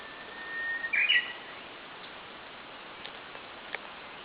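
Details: Japanese bush warbler singing in the morning in light rain: a long steady whistle rising gently, then a loud quick flourish of two sharp notes, over a soft hiss of rain with faint distant chirps.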